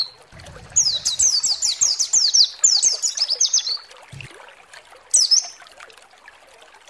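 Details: White-eye provoking song meant to excite other white-eyes into singing: a burst of rapid, high, sharply downslurred chirps lasting about three seconds. A quieter pause follows, then one short high phrase, with faint trickling noise throughout.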